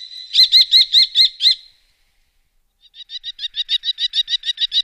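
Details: Common kestrel in the Wittlicher Tal, 2018, giving a short run of six sharp, evenly spaced high notes, a pause, then a longer, quicker series of clipped repeated calls.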